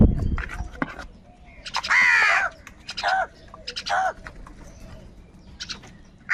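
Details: Crows in the morning, fighting for food: harsh, hoarse caws at about one-second intervals, one long and strained, with softer chattering from small birds between them.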